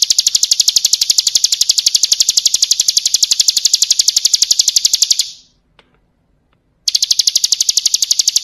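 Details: Bar-winged prinia, ciblek kristal style full-fill song used as a training recording for cage birds: a rapid, even trill of sharp high chips, about ten a second, running five seconds, breaking off into silence, then resuming abruptly.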